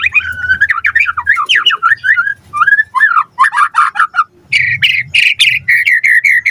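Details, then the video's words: White-rumped shama lure song to draw a reply: fast jumbled whistled and warbled notes, then a series of loud repeated rich whistles near the end, with a low background hum. "Pancingan Murai Batu Gacor Cepat RESPON Langsung NYAUT Jadikan Suara Burung Murai Gacor Full Isian"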